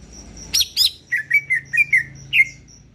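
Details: Vigorous song of a greater green leafbird from Kalimantan: two loud, rasping broadband notes, then a series of clear slurred whistles at a steady pitch, about five per second, over a thin continuous high tone and low background hum.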